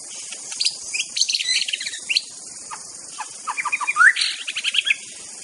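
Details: White-rumped shama in the wild giving a lively, varied song of quick chirps, sharp rising notes and short trills, with constant high insect buzzing behind.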